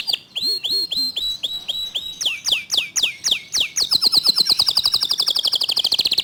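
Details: A local canary sings in the 'tembakan' style, fast and tight with a clear voice. Evenly repeated whistled notes turn into downward sweeps that speed up into a continuous rapid high trill.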